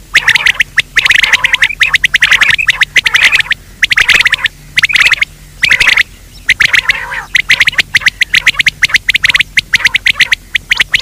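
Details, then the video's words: Quail calling in daytime, a recording used to lure quail: loud, fast bursts of sharp high chirps and squawks in dense clusters, with short pauses between bursts. "Batir ki awaz Quail sound for day part 2( دن کے بھلانے کے لئے)"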